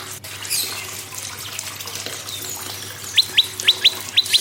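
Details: Prinia song used to get other birds singing: a quiet stretch with a click, then six loud, sharp, falling high whistles in three quick pairs.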